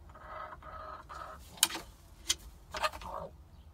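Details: Chickens squabbling over the pecking order inside a hen house; several short, nasal clucking bursts in quick succession, interrupted by sharp clattering knocks and scrapes.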